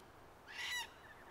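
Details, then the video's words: Red-tailed black cockatoo at King's Park, Perth, Western Australia, 29 October 2023: one loud, rasping, trumpet-like call lasting about a third of a second, set against low background noise. "Red-Tailed Black Cockatoos at King's Park, Oct 2023"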